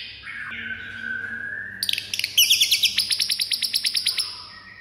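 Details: White-rumped shama fighting song meant to make other birds furious within seconds. A long flat whistle falls to a lower tone, then comes a fast burst of sharp ticking notes. These give way to a steady run of about fifteen bright clipped notes.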